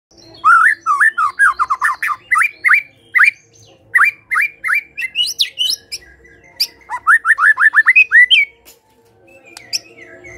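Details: White-rumped shama in loud, energetic song: quick series of whistled notes sliding between low and high pitch, repeated in bursts, with a rapid run of rising slurred notes near the end and a faint steady hum behind.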